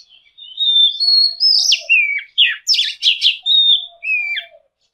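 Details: Oriental magpie-robin singing a mixed phrase: steady clear whistles, rising slurs, a series of harsh buzzy sweeps, then falling whistled notes, with a soft low whistle underneath.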